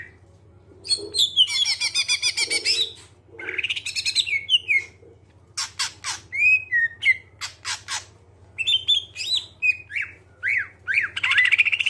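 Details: Greater green leafbird singing as a lure for other songbirds: harsh buzzy chatter bursts alternate with clear falling whistles and sharp clicks, ending in a rising whistled phrase. A low hum continues throughout.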